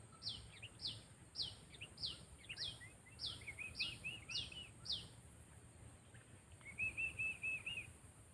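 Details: Sooty-headed bulbul trained for luring gives nine sharp down-slurred chirps in quick succession, then a pause, then a short run of rapid, even twittering notes. A steady high hiss is present.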